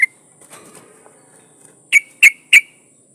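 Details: Breeding female yellow-vented bulbul calling for a male: three sharp, separate chip notes spaced about a third of a second apart, following a faint low rustle.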